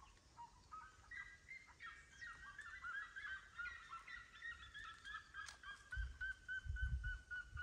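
Several red-legged seriemas yelp together in a loud, rapid chorus of high, barking notes that overlap and run on; low wind rumble near the end.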